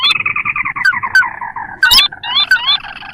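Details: Lure recording of a sintar, a rice-field and marsh bird, for trapping wild birds: a fast, rattling chain of harmonic notes slowly falling, a sharp click, then several rising slurred squeaks.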